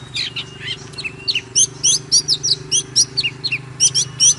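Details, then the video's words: Oriental magpie-robin singing and dancing with 'kích lửa' intensity: about three to four crisp whistled chirps per second, slurred up and down, over a steady low droning hum. "Chòe than HÓT MÚA || KÍCH LỬA || Kích chòe than hót căng"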